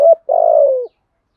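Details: Spotted dove in 'giọng thổ' style with the 'thúc gù' pattern. A brief clipped note comes first, then one long, steady, burry coo that droops a little at its end.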